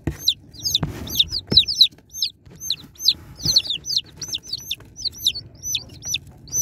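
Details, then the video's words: Many baby chicks peep during unboxing, a steady stream of piercing high chirps curving downward and overlapping, broken by a few sharp clicks or knocks. "Unboxing Cute Baby Chicks| Chicks Relaxing Sound Effects"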